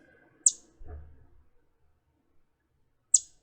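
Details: Two sharp, very high American Redstart chip (tank) calls, almost three seconds apart, each a quick downward tick; a faint low thump sounds between them.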